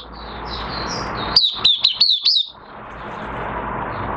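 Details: Oriental white-eye in minor moult, recorded 3 June 2022: one brief, rapid phrase of high, wavering twitters rising out of a constant background hiss.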